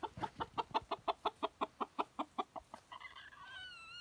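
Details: A chicken clucks in a fast, steady run of about fifteen short, even notes, nearly three per second, then breaks into a few higher, wavering, whistled squeals at the end.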